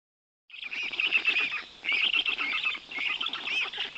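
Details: In Poland's Notecka Forest on 18 June 2021, black stork nestlings receive big fish from their father. After a short silence comes a steady stream of grating, nasal rasps with wavering pitch.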